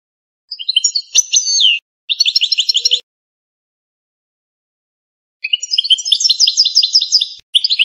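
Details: Authentic Algerian goldfinch, canto campero: slurred notes and a quick trill, then after a silent gap a long run of repeated ticking, tinkling notes rolling steadily onward, in clean isolation.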